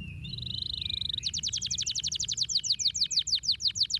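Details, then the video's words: Singing canary, used to stimulate lazy canaries: a steady buzzy tone for about a second, then a bright, rhythmic trill of repeated sharp notes that gradually slows. "stimulează rapid sunetul canarilor leneși ciripind"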